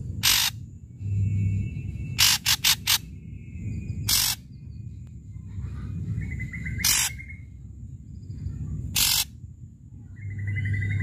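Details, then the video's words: Loud ashy drongo song meant to lure quiet drongos into calling, made of harsh scratchy bursts spaced one to three seconds apart, a quick cluster of three rasps and faint buzzy notes, over a low background hum. "Srigunting gacor SUARA KERAS Super AMPUH UNTUK Pancingan Srigunting Diam | srigunting abu abu gacor"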